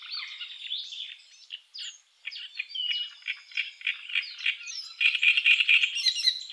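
Great reed warbler singing a loud, harsh, frog-like run of grating and chattering notes, delivered fast and varied, growing louder and denser toward the end.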